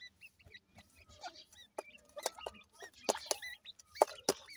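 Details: Grey francolin (dakhni teetar) chicks from Punjab, Pakistan, giving soft, short peeping chirps that are scattered and overlapping, with sharp clicks and taps between them.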